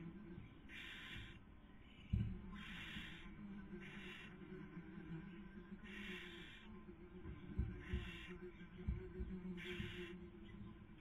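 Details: Barn owl pair on a nest webcam, Cabañeros National Park, Spain, 2020 breeding season; the female is feeding and the male trying to sleep. Rough hissing bursts repeat every second or so over soft rumbling and bumps.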